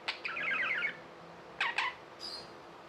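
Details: Tame pet budgerigars: a short buzzy warble of quick chirps in the first second, then two sharp chirps and a faint high note after a pause, with a quiet indoor background.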